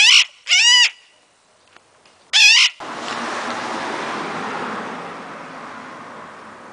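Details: Pet Illiger's macaw calling wildly: three loud, harsh, grating screeches, the first two close together and the third after a pause, followed by a long stretch of steady hiss.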